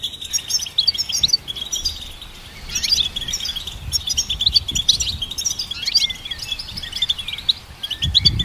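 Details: Goldfinch song, offered as a melody for training songbirds: rapid, high twittering with bright chirps and short trills that run almost without a break, plus a brief quieter pause near the middle and faint low rumble beneath.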